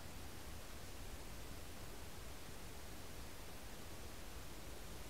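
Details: Steady hiss of broadband noise fills the recording with a low rumble beneath; no animal voice is heard.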